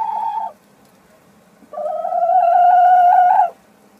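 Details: Sussex hen calling while laying an egg: a short harmonic squawk, a pause, then a long, loud, drawn-out nasal note lasting almost two seconds, with faint background hum.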